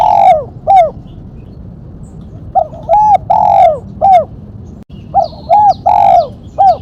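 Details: Spotted dove in the 'mercik' song style with one sharp 'kuk', used as a lure and training recording: several phrases of short, arched coos in quick groups, each phrase ending on a longer drawn-out note, with pauses between.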